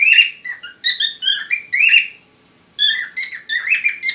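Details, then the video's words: Parrot courtship chatter: a few buzzy warbled phrases, a short silence, then a faster burst of whistled notes. "Любовь попугаев"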